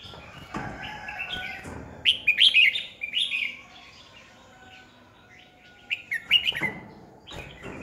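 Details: Decoy red-whiskered bulbul used for training singing birds, recorded in 2020, gives two clusters of loud, chirpy whistled notes, rising and falling quickly, with a quieter gap and soft knocks between phrases.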